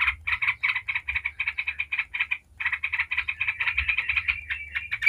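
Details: Rapid continuous chattering of a yellow-vented bulbul in 'ngebren' style, played to make other bulbuls call: dense buzzy notes in two long runs separated by a brief pause, ending in a slightly higher trill, low hum behind.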